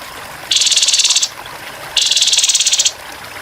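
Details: Grey-headed babbler in a training recording with murmuring water, giving its rough rapid-fire 'tembakan kasar' song: two buzzy, high, rattling trills, each under a second, separated by a short pause over a faint water hiss.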